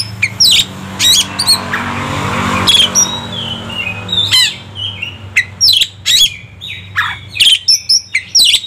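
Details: Oriental magpie-robin in a loud, varied song of harsh squawks, sharp chips and sweeping whistles in quick bursts, over a low engine hum early on; used as a lure to provoke other magpie-robins into singing.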